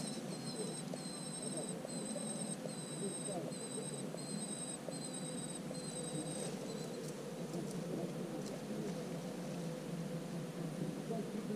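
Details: Common cuckoo chick in a marsh warbler nest, recorded 24 June: a series of drawn-out, high, thin tonal notes with overtones, repeated about every half second for six seconds, over a steady low background hum.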